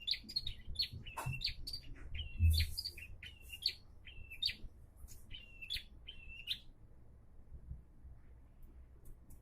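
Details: Bar-winged prinia sings steadily, now said to be singing diligently: repeated high two-part notes, each a sharp upper note dropping into a flatter tone, given in rhythmic phrases about every half second before trailing off, with soft thumps beneath.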